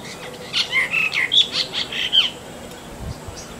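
A Brahminy starling sings a quick jumble of squeaky, slurred whistles and harsh chirps over about two seconds, followed by quiet.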